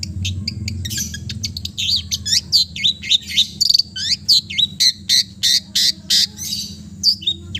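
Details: Loud, dense long-tailed shrike song of the East Java type, rich in mimicked fills: rapid varied chirps, slurred whistles and harsh buzzy notes tumbling several per second for over seven seconds.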